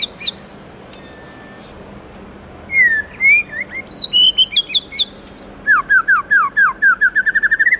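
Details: Morning song of a White-rumped shama in 'forest voice' style: after a short pause, rich fluty whistles swoop up and down, then a fast run of bright, rising, repeated notes that quickens toward the end.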